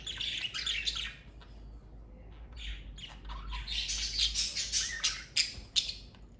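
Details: Lively chattering from a family of pet parakeets: dense, rapid high chirps and scratchy warbles, one burst near the start, then a busier run of twittering in the second half.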